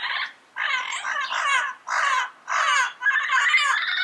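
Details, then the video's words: Harsh, raspy squawks from a yellow-headed parrot in the wild, six rough grating notes in quick, uneven succession, some drawn out and wavering, with short pauses between them. "Yellow-Headed Parrot Sounds - Natural Bird Calls and Songs in the Wild"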